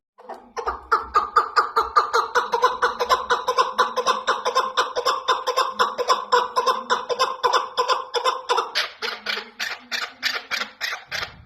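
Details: A chukar partridge, tagged as female and used as a hunting lure sound, gives a rapid, steady run of harsh clucking notes, about four or five a second, for over ten seconds with no other sounds.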